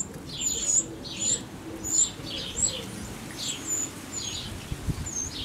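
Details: Nestling Eurasian wrens being fed by the adults shortly before leaving the nest: very high, thin squeaks in short bursts roughly twice a second, with softer lower chirps and a faint background hum.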